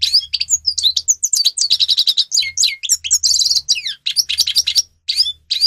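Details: Singing grey-crowned goldfinch (Carduelis caniceps), captive, recorded as a tutor song for training birds: continuous rapid twittering of sharp chirps, slurred whistles and a brief buzzy trill, over a faint low hum.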